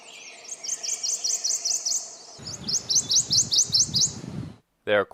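Prothonotary Warbler: two loud runs of bright, ringing tweet notes, about two per second. A low rumbling background joins halfway, and a short different call comes at the end.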